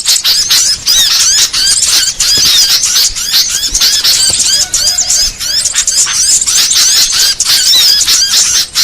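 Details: Lure sound used to trap small birds such as sogon, konin, red-headed prenjak, cipoh and cit merah: a dense, loud wash of high overlapping chirps, squeaks and twitters, continuous with brief dips.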